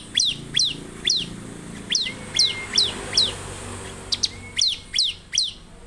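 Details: Bar-winged prinia in gacor (vigorous, nonstop) singing, meant to set other prinias singing: sharp high downslurred chips repeated about two to three per second, broken by a long thin rising whistle, over faint low hum.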